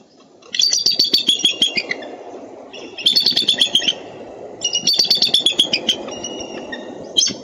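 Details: Eagle vocalizations from Minnesota on 13 April 2013: three bursts of shrill, rapidly repeated piping notes, each series stepping downward in pitch and trailing off, separated by short pauses over a low background rumble.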